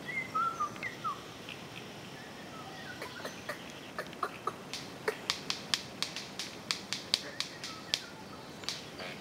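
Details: Orange-collared manakin at a courtship dance with a female present: sharp, dry snaps repeated roughly every third of a second in a steady series, after a few thin whistled notes; a person speaks softly nearby.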